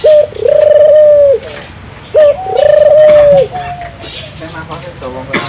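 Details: Turtle dove (burung puter) cooing to encourage local doves to join in. Two phrases, each a quick opening note and a long level coo, about two seconds apart, with faint chirps afterwards.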